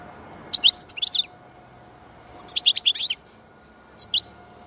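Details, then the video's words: European goldfinch singing three phrases of quick, bright twittering notes, the middle one longest and most varied, over a faint steady hum. "Huzur verici saka sesi mūkemel"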